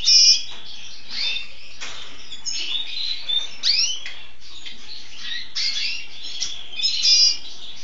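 A red siskin and canary hybrid sings a high, bright, rambling song of twitters, short trills and rising whistled notes, with loud chirps at the start and end.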